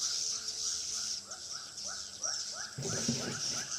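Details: Swiftlet lure sound from a Pekanbaru bird house: spaced rising chirps over high chatter, then a loud rumbling burst of noise near the end.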